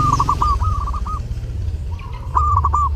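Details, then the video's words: Zebra dove singing actively at Lebaran: two rapid rolling phrases of mid-pitched coos separated by a pause, over a strong low hum. "LEBARAN TAMBAH RAME DENGAN SUARA PERKUTUT: Burung perkutut gacor saat lebaran cocok buat masteran"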